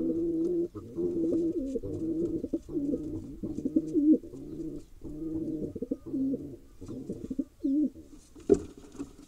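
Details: Male wild pigeon in Israel continuing to attack the female, cooing in a steady series of low, throaty, rolling phrases, about eight in succession, ending with a faint rustle.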